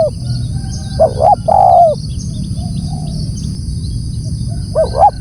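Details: Spotted dove calling loudly: a pair of short rising coos followed by a longer drawn-out descending note, then another short pair near the end, over steady low rumble and a faint high continuous hiss.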